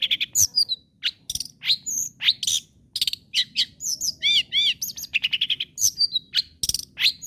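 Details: Long-tailed shrike in full song, meant to goad other shrikes into singing on: a varied jumble of sharp chips, short whistles and arched rising-falling notes delivered in quick succession without pause.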